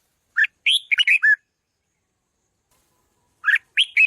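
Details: Red-whiskered bulbul song used to train its voice and rouse decoy birds: two bursts of short, rich warbled notes rising and falling between chirpy accents, separated by about two seconds of silence.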